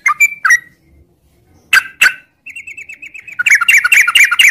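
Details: Sooty-headed bulbul in the morning giving scattered whistled notes, then a rapid wavering trill that builds into fast, loud chattering ngropel song.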